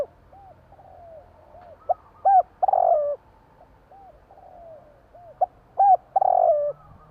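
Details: Zebra dove, a Javanese tekukur, calling at night: repeated soft hooked coos, some short and clipped, others a longer drawn-out coo, delivered in irregular bursts over a faint low hum.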